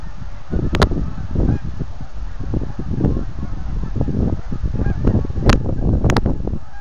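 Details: Thousands of geese taking off in autumn from the Rideau River waterway south of Manotick; dense overlapping low honks and wingbeat rumble throughout, with a few sharp higher clicks.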